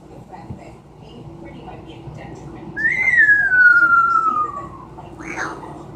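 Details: Amazon parrot at home making a descending whistle imitating a falling bomb, one long tone sliding downward for about two seconds, followed by a brief harsh squawk.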